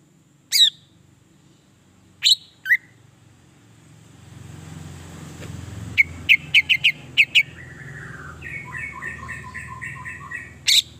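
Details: Greater green leafbird song used to stimulate other leafbirds: scattered sharp notes, a burst of rapid chips, then a series of repeated two-part whistled phrases. Steady rumbling noise, like a passing vehicle, rises midway.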